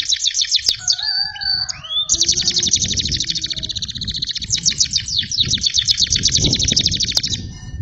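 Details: Caged canary singing a song filled with bar-winged prinia and lakbet phrases: opening whistled slides, then long rapid high trills of dense repeated notes, with low rumbling room noise beneath.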